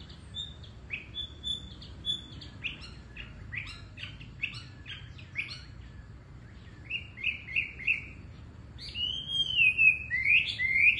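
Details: Wambi bird song of sweet, lively high chirps and whistled slurs, at first short and clipped, then longer rising and falling whistles near the end, over a steady low rumbling background noise.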